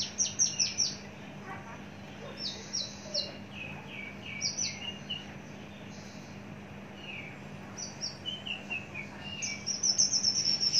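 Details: Caged Javan bush lark, a mature large-bodied bird kept for a long time, gives scattered bursts of high, thin whistled notes and short descending slurs with quiet pauses between phrases over a steady low hum.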